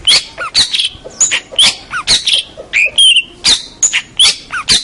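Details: Long-tailed shrike of local stock, a contest winner, in a busy, varied song of scratchy chatters and short whistled slurs, some falling and some steady, closely packed with barely any gaps.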